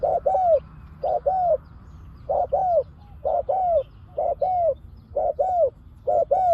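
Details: Decoy spotted dove calling to attract wild doves: couplets of a brief coo and a longer downward-curving coo, repeated roughly once a second against a quiet background.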